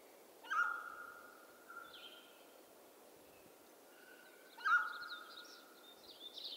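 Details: Two loud calls from a mountain quail of western North America about four seconds apart, each an emphatic attack drawn out into a steady, even tone, with high, buzzy songbird phrases around them.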